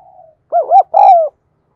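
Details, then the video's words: Caged lure spotted dove cooing: a soft lead-in note, then two quick arched hoots and a longer, falling hollow coo. "Tiếng Chim Cu Gáy Thúc Gù Gáy Gọi Mới Nhất || Chim Cu Gáy Mồi"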